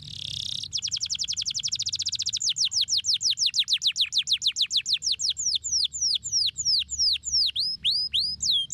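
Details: Canary song meant to stimulate lazy canaries to sing: a short buzzy start, then a long, very fast trill of repeated notes slowing into wider, downward-swooping whistled syllables.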